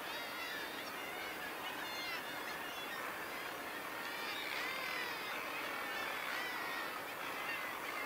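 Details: A dense chorus of Northern Gannets giving harsh, grating, rapidly repeated calls at the crowded colony at Bempton Cliffs.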